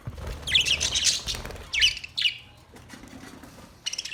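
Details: Parrot giving bursts of shrill, raspy chirps: a long chattering phrase, two shorter squawky notes around two seconds, a quiet gap, then a fresh sharp burst at the end.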